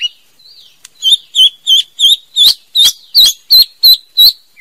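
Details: Female white-rumped shama producing a series of about nine sharp, high, evenly spaced notes, roughly three per second, preceded by a thin rising whistle.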